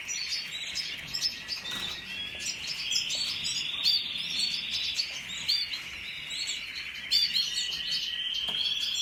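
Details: ['Canary recorded on 1 April 2021, giving a continuous, dense, rolling warble of high trills and twittering notes over steady background hiss.']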